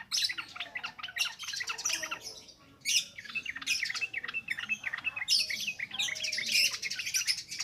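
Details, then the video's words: Continuous wild-style ngropel ngalas singing of a yellow-vented bulbul, meant as a lure for young birds: dense, tumbling bubbly phrases in repeated bursts, with a brief lull near the middle. "SUARA BURUNG TRUCUKAN NGROPEL NGALAS"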